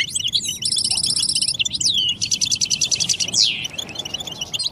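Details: Goldfinch mating and readiness calls meant to coax a silent male into song: liquid twitters broken by two long, buzzy, rattling trills, with a bright downward-sweeping note between bursts.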